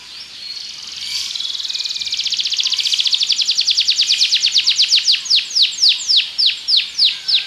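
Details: A Belgian canary sings a rising, accelerating buzzy trill that breaks into distinct, downward-sliding whistled notes repeated about three times a second.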